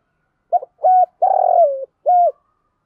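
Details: Luring coo phrase of a decoy spotted dove aimed at wild doves: a stuttering opener, a clean flat coo, a long buzzy trembling coo falling away, and a final level coo, in silence.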